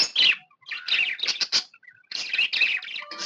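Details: Happy pet budgerigar chirping in bursts of raspy, warbled notes, a brief gap of soft squeaks, then more grating, twittering chatter.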